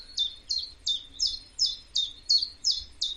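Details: Common Chiffchaff singing at Knepp Estate, a 3,500-acre rewilding project, with a turtle dove and blackcap heard nearby: steady chiff-chaff song of high, sweet notes alternating in pitch, about three a second, over faint low rumble.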